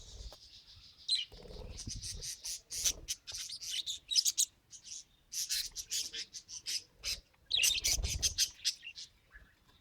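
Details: Pet budgerigar trying to talk: dense, high, scratchy warbling chatter of rapid clicks and buzzy notes in bursts, with short pauses around the middle and near the end.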